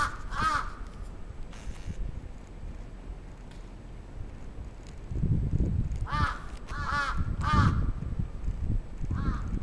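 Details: Crow attack recorded in Atsubetsu Ward, Sapporo, on 27 June 2017: scattered harsh caws, a lone call at the start then a quick cluster of three, amid low rumbling noise.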